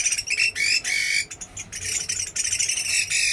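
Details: Energetic song of a Chinese hwamei from Da Lat, dense rapid strings of loud rising and falling whistles with a raspy tone, barely pausing throughout.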